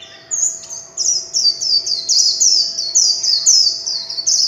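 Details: Líu chòe song of a warbling white-eye: a strong, high, even series of quick downslurred notes, about four per second, delivered in a steady stream over a low hum.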